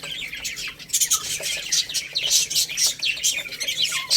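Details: Young chicks chirp while pecking rice: quick, shrill peeps, some sliding downward, packed closely together with little pause.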